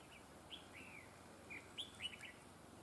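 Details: Red-whiskered bulbul decoy bird used for trapping, singing the prized double linked song style: two bursts of clear, bright whistled notes with quick upward and downward slurs, the second phrase coming about a second after the first, over a soft background hiss.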